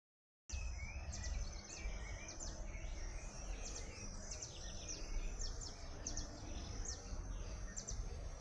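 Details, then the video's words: Birdsong: rapid high chirps and short downward-sweeping notes repeated in quick bursts through the recording, with a constant low background hum after a brief silent start. "som de passáro"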